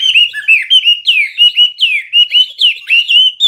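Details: Pure, loud Hwamei whistles: a steady sequence of about a dozen clear notes, many sliding downward or curling up at the end, spaced roughly every quarter second.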